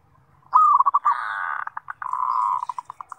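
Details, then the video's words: Zebra dove song used as a lure for daily sound training: rolling, bubbly coos that swell into a steady purr, then break into short, evenly spaced notes, with a faint low hum underneath. "Pancingan Suara Perkutut MASTERAN Gacor Buat Harian Ampuh Melatih Bunyi"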